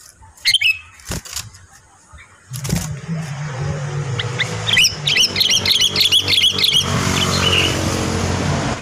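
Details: Sooty-headed bulbul at home during moult season: a sharp chirp burst early, then a rapid chattering series of bright repeated notes over several seconds, against a constant rumbling traffic-like background.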